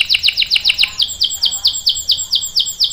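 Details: Canary delivering a long rolling song for tutoring young birds: rapid downward-sweeping whistles that quickly slow into a steady run of slurred notes, about four per second, high and clear.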